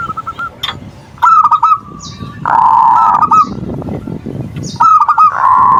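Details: Zebra dove song played to excite and provoke other perkutut: short rolling coo phrases interrupted by loud, harsh buzzing tones that partly cover the notes, with sharp clicks.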